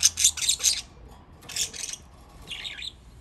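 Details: Pet budgerigars in Japan playing in water, giving bursts of harsh, buzzy chirps in quick clusters, then a brief gap and a falling squawky note near the end.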